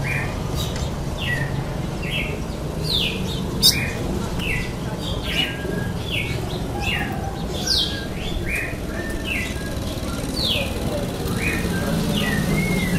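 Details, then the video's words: Male red-cowled cardinal singing in the 'canta de cara' face-to-face style, a long run of short bright chirped notes repeated steadily, roughly two per second, with faint voices and constant low background rumble. "GALO DE CAMPINA CANTA DE CARA"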